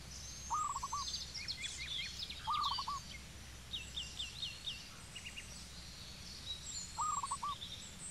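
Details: Three separate low, rattling coo bursts from a zebra dove in Cambodia, about two seconds apart, each a fast run of short beats, set against a dense background of thin high chirps and trills from other birds.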